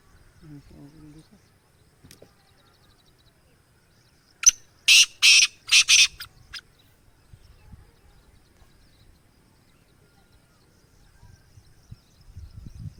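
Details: Black francolin (kala teetar), described as a rare Gangas Sheedi breed, gives one harsh, grating phrase of five rapid buzzy notes in mid-clip. Otherwise near-silent, with faint low murmurs at the start and end.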